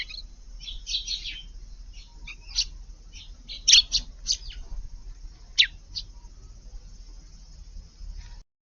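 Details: Eurasian tree sparrows visiting a garden flowerbed to sand bathe on a hot day, August 5th; a scattered series of short, sharp, high chirps and tweets, some doubled, spaced irregularly over several seconds, with faint rustling underneath.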